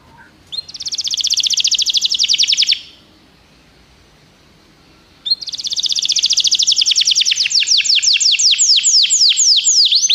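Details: A canary sings to encourage a pet canary. A fast, high, rolling trill runs for two seconds. After a pause comes a second long trill that opens into sweeping notes.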